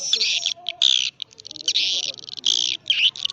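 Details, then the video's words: High swiftlet twittering in the karindanga, liris and gondes styles: loud buzzy chirps with whistled squeaks inside, mixed with quieter rapid ticking between the main bursts. "sp walet karindanga. liris terbaru. gondes suara walet"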